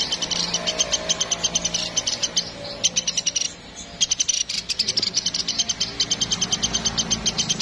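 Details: Vigorously calling woodpecker, known locally as platuk Sampit: rapid bursts of sharp, high repeated notes, broken by a short pause near the middle before the quick series resumes, with faint low background hum.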